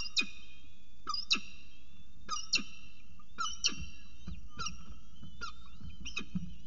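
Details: Peregrine falcon at its nest with breakfast at CSU Orange, 19 October 2018: harsh, clipped calls with a ringing overtone, given about once a second in short bursts, over a low steady hum.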